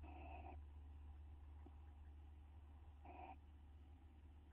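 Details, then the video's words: Owl pair bonding in a nest box, recorded May 9, 2011: two short, hoarse, harmonic call notes about three seconds apart against a steady low mechanical hum. "Roy and Dale in the box bonding and kissing"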